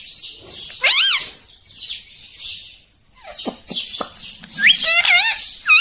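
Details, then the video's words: Green rose-ringed parakeet chattering with high scratchy notes, a couple of loud arched screeches and short clicks, calling in irregular bursts with a brief quiet gap midway. "original Sound Ringneck Green"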